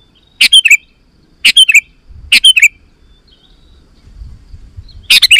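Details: Sooty-headed bulbul singing energetically as a call to draw in wild bulbuls: crisp phrases of three or four chirpy notes about a second apart, with faint low background rumble.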